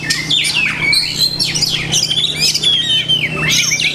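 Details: Oriental magpie-robin (kacer) singing masteran, mimicked phrases: loud swooping whistles falling and rising, interspersed with rapid chips and buzzy twitters, steady and energetic throughout.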